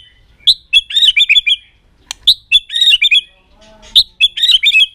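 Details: White-rumped shama singing a long, aggressive song meant to rouse other birds, flicking its tail: short bursts of sharp, high chirping phrases separated by brief pauses, repeated three times.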